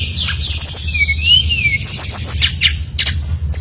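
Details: Brown-chested jungle flycatcher song meant to draw other birds into singing: a long wavering whistle rising and falling, then quick high slurs and short sharp notes, over low constant noise.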